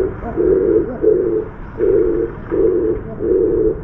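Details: Oriental turtle dove on an outside bar, apparently in an up-and-down bobbing courtship dance, gives low, hollow hooting coos: five flat notes of about half a second each in under four seconds.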